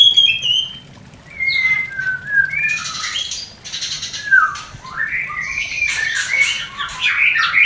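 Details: White-rumped shama mating sound, used to stir breeding desire in a new pair not yet producing; sliding whistles around 2–4k, then a pause and rising whistled phrases mixed with harsh buzzy bursts.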